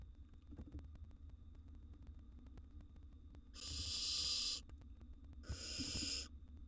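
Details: In a wild barn owl nest box, a nestling devouring a gerbil utters two drawn-out, breathy screeching hisses close together, preceded by faint rustling and accompanied by a steady background hum.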